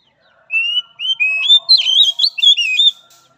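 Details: Oriental magpie-robin song used as training for a weak-spirited bird: clear rising whistles followed by a rapid run of warbled, sliding notes between about half a second and three seconds, with faint low chatter beneath.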